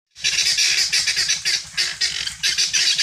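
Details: Free-range helmeted guineafowl searching for food give harsh, grating, rapidly repeated squawks in loud bursts about every half second, likely several birds calling together.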